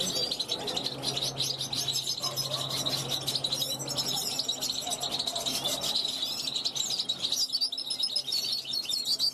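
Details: European goldfinch, a young bird hatched in 2021, calling from a balcony to wild goldfinches flying past; dense, fast liquid twittering and tinkling notes run almost without pause, with a low steady hum underneath.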